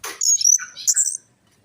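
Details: Orange-headed thrush singing, played as a lure for a bird that has stopped singing or is stressed: a short burst of high, sharp whistled notes and rich warbling, ending abruptly.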